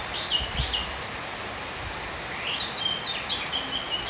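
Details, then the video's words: Oriental magpie-robin singing during rain: short, sweet whistled phrases, some rising and some falling, over a steady hiss of rain. "nghe choè than hót"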